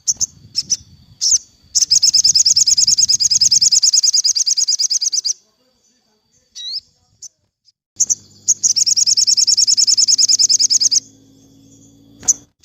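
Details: Sogon song in the afternoon, played for training captive birds: two long rapid high trills, each several seconds long, with low background rumble and a steady low hum during the second trill.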